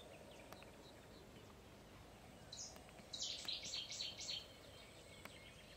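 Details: Common shelduck at Izliv Soče nature reserve on 1 June 2023 gives a quick burst of about six high, bright whistled notes over roughly two seconds, against a steady background hiss.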